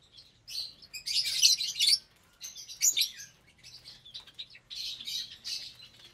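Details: Feeding time in an aviary holding roughly 25 breeding lovebirds of several colour mutations: loud dense screeching chatter, then scattered high squeaks and another harsh burst, over a soft low hum.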